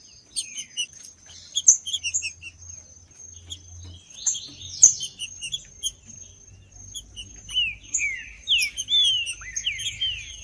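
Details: Green-winged saltator song played to warm up a cold captive bird. After busy high twittering from other birds, a run of loud, clear, downward-sliding whistles comes fast near the end, over a constant thin high tone.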